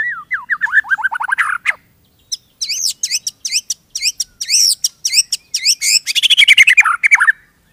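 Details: Singing white-rumped shama kept by an owner: a quickening series of slurred whistles, a brief pause, loud rhythmic high chirps several per second, and a closing rapid descending chatter.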